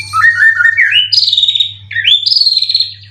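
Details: Caged contest white-rumped shama from Indonesia giving clear rising whistled notes that climb in steps, then a sustained high whistle, a short pause and another rising whistle.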